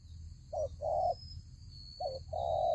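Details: Spotted dove used as a decoy bird in a fighting trap, giving two coo phrases, each a short hoarse note then a longer drawn-out coo, with a steady high insect hum and faint chirps behind.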